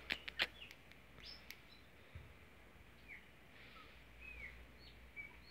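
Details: A pet Chopi blackbird in Mogi das Cruzes, São Paulo, Brazil, sits on its owner's hand while being urged to sing, giving soft, scattered whistles, some rising and some slurred downward, after a few sharp clicks at the start, over steady background noise.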